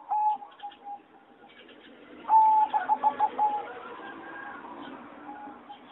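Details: Aviary-kept singing zebra dove bred for competition, recorded 26 April 2014: soft short coos at first, then a bright whistled note and a rippling run of pulsed coos. A busy background of other caged birds follows.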